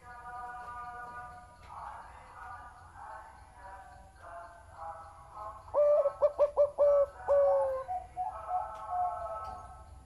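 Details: Big-voiced zebra dove heard over a soft chorus of distant doves, then close and loud: a burst of five or six quick clipped coos followed by a sustained, slightly falling note.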